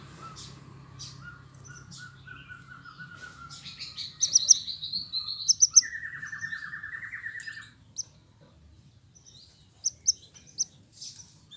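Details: Canary song with pauses, used to spur silent or lazy canaries back into full song: a low, even trill, a bright high warble, then a rapid rattling tour, followed by quiet with scattered short chips.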